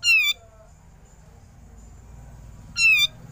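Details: Grey-cheeked bulbul ngepik calls, used as a training recording for songbirds: two separate high, ringing, slightly wavering notes, each rich and sharp, with roughly two and a half seconds of quiet between them.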